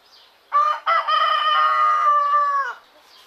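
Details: Rooster crowing in the morning, recorded in Greece: a short opening note, a brief break, then a long loud crow held steady for nearly two seconds before sliding down and dying away, with quiet surroundings.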